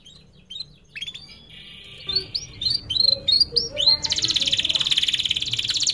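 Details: Canary song used as a training lure for young birds: soft chirps building to a flat trill, a string of looping whistled notes, then a loud broad rapid trill to the end.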